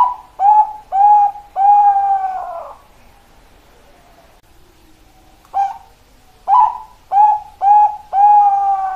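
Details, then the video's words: Zebra dove (Bangkok perkutut) sings two bursts of clear, rolling coos near one pitch, each phrase a quick stutter of short notes ending in a longer trill. "Perkutut Bangkok indo perkutut"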